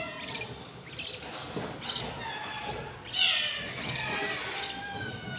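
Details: Six hungry budgerigar chicks in the nest, 20 days into a breeding pair's clutch of six hatched eggs, begging with raspy, broadband chirps and squeaks that run on continuously and swell louder around the middle.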